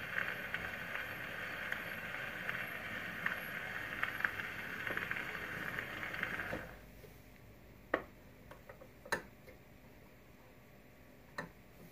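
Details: Steady mechanical hiss for six seconds, then quiet with scattered sharp clicks and ticks; no animal voice is heard.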